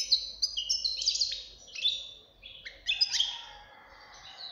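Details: Young European goldfinch singing; clusters of sharp high chirps and buzzy slurred notes in uneven bursts, with a faint low hum beneath.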